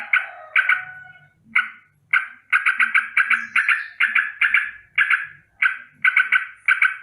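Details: Sooty-headed bulbul sounding a morning alarm for danger: spaced single and paired harsh, scolding notes, then quicker runs of chatter, with faint low background noises.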